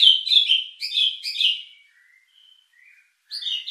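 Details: White-rumped shama lure song meant to stir emotion and breeding drive: rapid bursts of bright warbled notes, then a pause with faint soft whistles before another bright burst.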